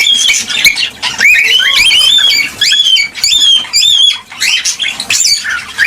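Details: Cockatiel singing to stimulate pairs to mate and breed: loud, continuous squawky warbling with rising and falling whistled phrases and harsh chattering notes, almost without pause, briefly dipping twice.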